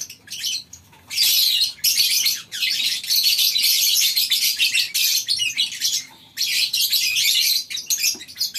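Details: Morning scene at a lovebird breeding farm where birds share a colony aviary: waves of piercing high chirps and squeals from the flock, rising and falling in loudness with several short pauses.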